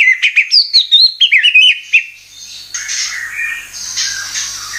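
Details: White-rumped shama (murai batu) lure sound: two seconds of lively whistled and chirped phrases, then the song fades into soft hissing noise.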